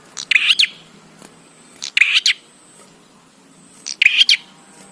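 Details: Loud bar-winged prinia song used to make other prinias start calling: three harsh bursts of rapid clicks and buzzy, scratchy chirps arrive about every two seconds, with quiet between them.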